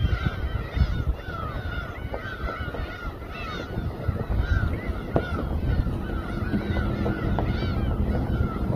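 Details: Gulls over a sashimi boat at Samgilpo port, Daesan-eup, Seosan, Korea; overlapping drawn-out wailing calls, somewhat sparser, with clicks, knocks and a low mechanical hum.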